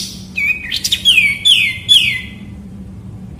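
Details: White-rumped shama singing loud, clear whistled phrases, a steady held note followed by several descending slurred whistles in quick succession, with a faint low hum behind.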